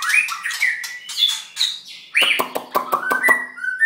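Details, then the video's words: Molting white-rumped shama, about halfway through, sings mellow whistles and slurred phrases, then a stretch of harsh rapid clicks and ticks with short whistled notes woven between. "White rumped shama"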